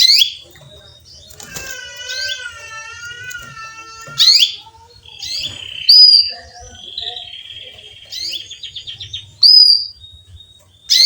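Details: Female canary chirps to summon a male: sharp bright notes at irregular gaps, mixed with a steady wavering tonal hum and short buzzy trills in between.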